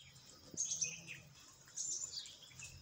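Parakeets in a flock give shrill, scratchy chirps in two bursts of overlapping calls, with a faint low background hum.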